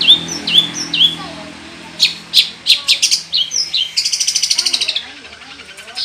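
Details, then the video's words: Long-tailed shrike song meant to coax other birds to sing: clear upslurred whistles, then sharp separated notes and a dense buzzy rattle followed by quick repeated ticks. "SUARA CENDET GACOR FULL ISIAN, 100% AMPUH UNTUK UNTUK PANCINGAN CENDET BUNYI"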